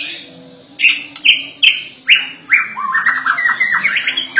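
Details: Murai batu, the white-rumped shama, in gacor full song: five loud, clear whistled notes at a steady pace, then a quicker rippling series of rising and falling whistles, over a soft low hum.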